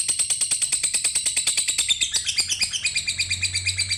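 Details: Shrill lovebird chatter: fast, repeated high chirps that start fairly regular, then blur into a denser, jumbled twittering after about two seconds.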